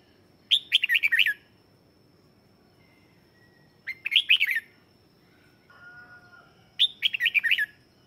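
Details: Lure song of a red-whiskered bulbul meant to bring in wild birds: three phrases of rapid, looping bright whistles about three seconds apart, with a thin steady high tone and a soft lower whistle between phrases.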